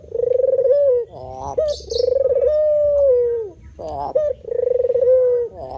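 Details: Repeated low, steady coos of a white spotted dove alternating with hoarse, rising stutter notes; a short high chirp is heard early on.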